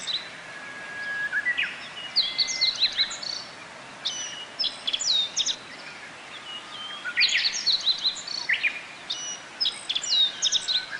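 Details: Japanese white-eyes flock to bottlebrush flowers for nectar at Kobe Municipal Forest Botanical Garden, Japan, on a June 2018 day between rainy spells. Scattered high, sharp chirps and brief twitters, with some steadier whistled notes, sound over soft background noise.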